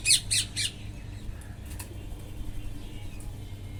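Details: Wild parrots feeding: three loud, harsh, rasping squawks come in quick succession within the first second, then fainter scattered calls over a steady low rumble.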